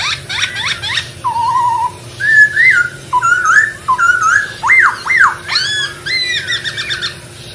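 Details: Masked laughingthrush singing in the wild, a series of separate whistled phrases, some wavering, some sharply rising and falling, spaced about a second apart, with a steady faint hum behind.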